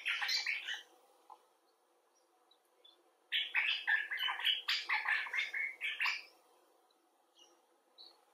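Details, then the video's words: Common bulbul in a rapid, uneven series of short, buzzy chattering notes, a brief burst followed after a pause by a longer run of about fifteen quick notes, ending in faint ticks. "Bulbul Talk: The Common Bulbul (Pycnonotus barbatus)"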